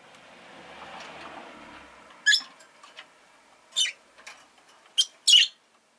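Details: Rosy-faced lovebird kept as a pet, chirping after a soft hiss of background noise fades; four sharp, scratchy bursts come at uneven intervals, the last two close together.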